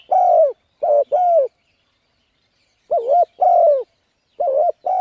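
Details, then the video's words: Spotted dove cooing to excite decoy birds for luring: bursts of soft hollow coos, a short note followed by a longer drawn-out one, separated by a long silent pause, no other sounds. "Cu Gáy Thúc Gù Gáy Cực Phê Kích Mồi Tập Bổi Quá Hay"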